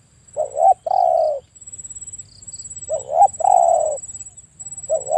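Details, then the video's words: Repeated mellow coos of a spotted dove, each a brief wavering note then a long falling hoot, phrases about two seconds apart, with a faint high-pitched hum behind. "The Best Spotted Dove Sound លលកសម្លេងល្អលឺច្បាស់១០០%"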